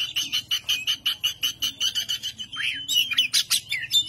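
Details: Oriental magpie-robin, kacer, doing ngobra to stir up rival birds: a fast series of clipped, buzzy notes repeated about two and a half times per second on a steady pitch, ending in varied whistles and harsh chatter.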